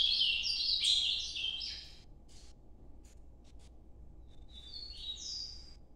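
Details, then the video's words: Ultramarine grosbeak giving its Nordeste noturno song. A strong two-second warbled phrase, then quiet with faint scattered notes, and a softer whistled phrase near the end. "Canto Nordeste Azulão Noturno"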